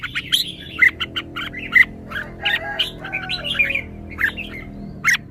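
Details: Red-whiskered bulbul singing well-phrased song: rapid bright chirps and short whistled notes, some clear pure tones, over a steady low background hum.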